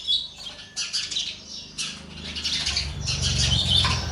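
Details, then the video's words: Young sparrows fed by a parent, uttering quick high chirping bursts roughly three times a second, over a steady low rumble that grows toward the end. "Sparrow bird feeding food to baby birds"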